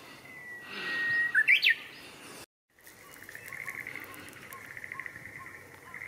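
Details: Song of a Japanese bush warbler, Showa Kinen Park, 10 April 2021: a soft level whistle leading into a loud, rapid three-part flourish that climbs steeply, followed after a pause by faint distant chirps from other birds.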